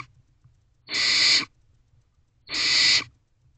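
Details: Young barn owls in a nest box, 21 May 2023 at night, feeding on a rodent; two clean, hoarse hissing screeches about 1.6 seconds apart, otherwise near silence.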